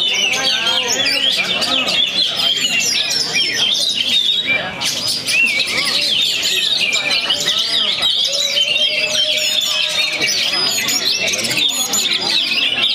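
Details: Oriental magpie-robin, a young bird from Perbaungan just past moulting, pours out a busy high-pitched song of twittering phrases, quick trills and sharp whistles, with a brief pause near the middle and murmured speech in the background.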